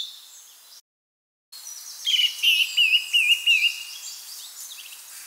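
Song thrush repeating a short, clear whistled phrase about five times in quick succession, with faint chirps of other birds behind.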